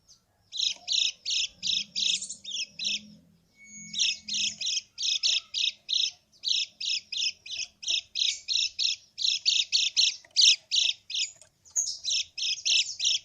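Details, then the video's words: Yellow white-eye calling, used as a lure so stalled or lazy birds respond: long run of harsh, buzzy high chips delivered in fast regular bursts nearly three per second, with one brief pause. "kecial kuning krekek pikat kecial kuning macet total atau malas bunyi 99%√ nyaut lawan"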